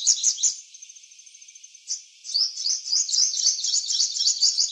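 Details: Eclipse-plumage purple sunbird singing one of its varied garden songs: a few high chips, a thin sustained trill with soft ticking, then a dense, rapid, tinkling twitter of high notes.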